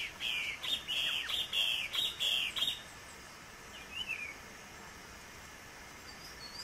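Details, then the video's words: Female Green-winged saltator recorded in the wild in Pernambuco, northeastern Brazil: a quick run of about eight loud, slurred whistled notes within three seconds, then a single fainter note, over steady background hiss. "BELÍSSIMA FÊMEA DE TRINCA FERRO NA NATUREZA bico-de-ferro (Saltator similis)"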